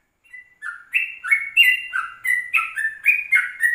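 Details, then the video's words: Yellow-vented bulbul recorded in the morning at 04:30 as a lure and tutor recording in the rapid ropelan style. Bubbly, warbled phrases of short slurred notes rise and fall steadily, with no other sounds. "Pancingan 04.30 Trucukan Rekaman Pagi"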